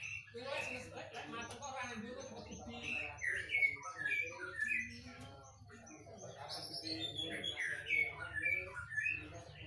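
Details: An agitated whistling thrush gives clear whistled phrases and slurred notes near the top of its range, loud bursts at irregular intervals, with other chirps and a low background hum.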